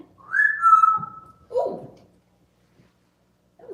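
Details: Pet grey parrot indoors imitating a siren when prompted: a whistled tone that rises and then holds as a long, slightly falling note, followed by a short, harsher descending note and the start of another call at the end.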